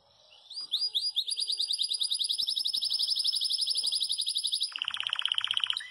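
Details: Yellow Belgian canary singing a loud 'campainha' style song: rapid high buzzy rolled trills repeated about four per second, then dropping into a lower, dense rattling trill near the end; no other sounds.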